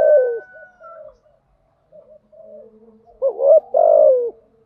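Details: Lure calling of a spotted dove, including thúc gù and gáy gọi styles meant to set decoy doves calling: a falling coo, faint soft murmurs, then a loud hiccuping double note and a long descending coo.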